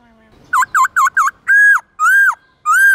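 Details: White-cheeked laughingthrush singing wild-type song in the morning: four quick dipping notes, then three long, rich, arched whistles, loud and clear with no other sounds.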